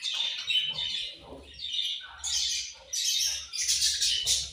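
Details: Budgerigars eating and calling with harsh, raspy high squawks and chatter in long overlapping bursts, plus faint low knocks beneath.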